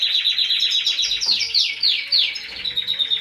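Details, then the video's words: Balkan goldfinch feeding four baby canaries; rapid pulsed high chatter, about four beats a second, with a few downward-sliding squeaks in the middle. "CARDUELIS BALCANICA FEEDING 4 BABY CANARIES"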